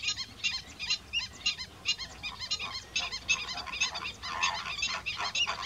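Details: A flock of greater flamingos gives a dense, continuous chorus of nasal, goose-like honks and gabbling notes, many birds calling over one another. Slender-billed gulls are also present.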